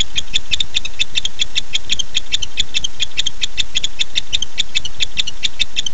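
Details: At night a male barn owl calls to his mate, recorded on 9-8-15 by a nest camera: rapid high clicking pulses run continuously, roughly two and a half per second, irregularly spaced, with a constant low background hum.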